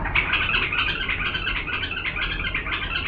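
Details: Authentic Diyala bulbul singing clearly to train young birds, a dense, continuous run of warbled, chattering notes with no gaps, with a faint low hum beneath.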